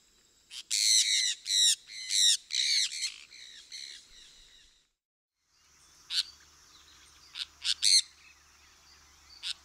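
A sun parakeet gives a rapid run of harsh, shrill screeches, then a few sharper squawks.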